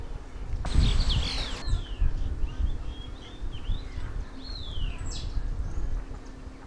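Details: In Uttarakhand, India, a streaked laughingthrush (Trochalopteron lineatum) gives a few clear whistled notes that slur downward, spaced over several seconds, over a low rumble of wind and a brief burst of noise.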